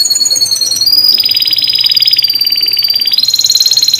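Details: Atlantic canary singing a lure song to provoke silent canaries: a loud, continuous, dense rattling trill with high whistled overtones, shifting slightly in pitch partway through and repeating several times per second.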